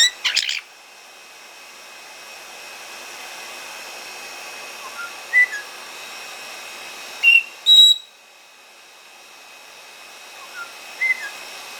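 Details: Pet white-bellied parrots, a pair, drying under a hair dryer after their bath indoors; a harsh, loud scream opens, then scattered short whistled notes and a piercing burst, all over continuous dryer hiss.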